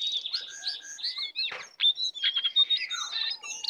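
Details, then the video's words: Wild lesser shortwing (cingcoang coklat) coming to attack: a short burst of high warbled whistles, a harsh rushing note, then thin squeaky pure tones and chattering. "Jongkangan/cingcoang coklat Liar Datang Menyerang"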